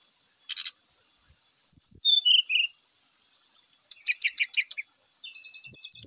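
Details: Brown-chested jungle flycatcher, its song used to draw rival males into combat: a click burst, falling whistled notes, a pause, a fast chattering series of notes, then swooping high whistles at the end, with background high hiss.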